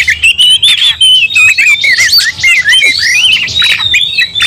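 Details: Agitated Oriental magpie-robin singing in fighting mode and stirring other magpie-robins to anger: dense, fast medley of clear whistled phrases mixed with buzzy, grating notes, delivered in short, tightly packed bursts without letup.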